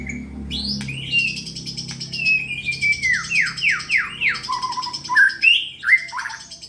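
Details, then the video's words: Contest-ready white-rumped shama delivering a lively song of clear whistles, a run of descending slurred notes, then sharp chirps and quick trills, with low humming underneath. "burung murai gacor pak ade siap kontes"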